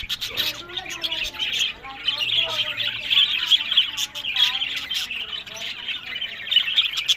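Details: Budgerigars kept in a breeding aviary in Larkana, Sindh: rapid, grating warbles and short squawks pile up into a loud, constant chorus, with sharper chirps standing out now and then.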